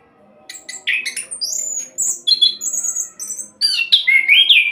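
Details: Used as a lure to get other birds singing, an orange-headed thrush in rapid 'roll' style: after a short quiet start, sharp chips give way to sustained high whistles and a rising, warbled final phrase.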